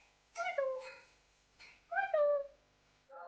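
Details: A young pet Indian ringneck, or rose-ringed parakeet (Psittacula krameri), talking in Urdu/Hindi, says two short, voice-like phrases with rising and falling tones, then begins a third word in an otherwise quiet room.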